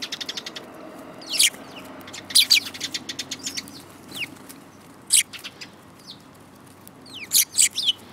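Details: A group of sparrows in March 2018 chatters with rapid ticking notes, then loud clipped chirps and downward-slurred tweets, irregularly spaced across several seconds over faint background hiss.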